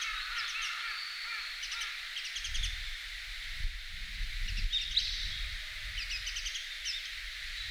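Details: Warbling (Japanese) White-eyes in a park in winter give thin, high chirps in quick little bursts, a few per second, over a low rumble of wind or distant traffic.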